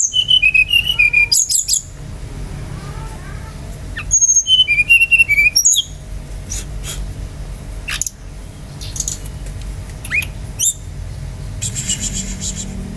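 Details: Brown-chested jungle flycatcher singing energetically, a lure song meant to get other birds singing: clear high whistled notes in quick falling runs, short bursts repeated across several phrases, with faint background hiss.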